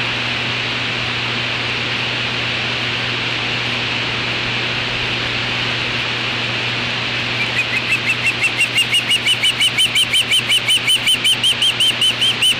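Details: Juvenile osprey on its natal nest at a nest camera, 8 August 2013 around 3:15 pm, repelling an intruder, apparently a black vulture; after steady hiss, rapid piercing whistled chirps start and repeat about three per second.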